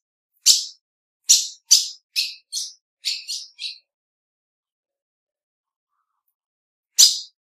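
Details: Female ultramarine grosbeak uttering a run of eight sharp chirps over about three seconds, speeding up toward the end, then a long pause before a single louder chirp.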